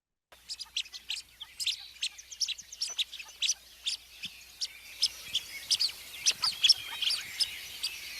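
Blue-winged Teal giving soft, high, thin pip notes in quick, uneven series, several birds overlapping, about two notes a second.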